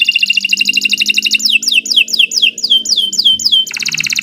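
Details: Canary tutor song meant for teaching caged birds: a fast, dense rattling trill gives way to evenly spaced swooping downslurs, then breaks back into a tight buzzing roll, loud and clean throughout.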